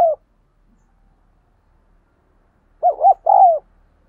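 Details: Spotted dove 'thúc gù' cooing for training decoy doves and drawing wild doves to call. A brief coo at the start, a long quiet pause, then one loud phrase of two quick bending notes and a long falling coo.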